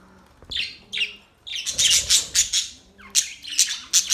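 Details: Budgerigars chirping: sharp squawky notes and bright chirps in short bursts, clustered in quick runs with brief pauses between groups.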